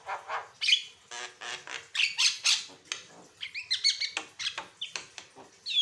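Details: A Javan myna sings steadily with varied notes for use as a training and prompting track, mixing rasping chatter, scratchy bursts and brief bright whistles in quick, irregular succession.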